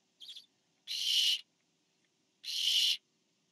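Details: Barn owl parent delivering food to an owlet; a short, quieter wavering note opens, followed by two long, harsh hissing screeches about one and a half seconds apart.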